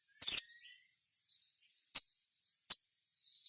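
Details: Crimson sunbird singing vigorously, a recording meant to draw other birds into song. A loud, high, sharp chirping burst, followed by several short, shrill chips and faint thin twitters spaced across the clip.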